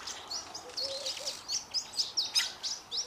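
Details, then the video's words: Two Fork-tailed Drongos in a shared song, giving a quick run of high, slurred whistled notes about every quarter second, with a few soft low mellow notes mixed in. "Fork-tailed Drongos singing"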